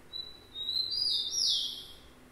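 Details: Rufous-collared sparrow song: a thin steady whistle held for about half a second, then louder sweeping notes that slide downward, with a soft background hum.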